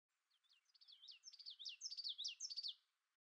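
Blue-winged Teal giving a high, thin run of peeping whistles, about ten notes in three seconds, swelling louder and quickening toward the end.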